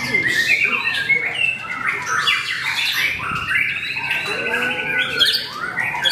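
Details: Contest white-rumped shama (murai batu), a debut bird that reached the podium, singing among other caged birds; rich stream of clear whistles, rattling trills and rising slurred notes, layered and continuous.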